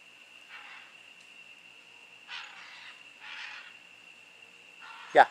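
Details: Two wild scarlet macaws in jungle above a house in San Buenaventura, Osa, Costa Rica, January 2010, always in pairs; four harsh, raspy squawk bursts spaced about a second apart over a steady high insect whine, ending with a sharp knock.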